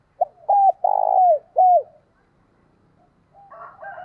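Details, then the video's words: Wild-dove luring call of a spotted dove with a loud, clear voice: a single low phrase of a short note, two arched coos, a long rough coo and a last arched coo, followed by brief higher chattering. "tiếng cu gáy kích bổi giọng hay to + rõ giọng hạp bổi ít tạp âm"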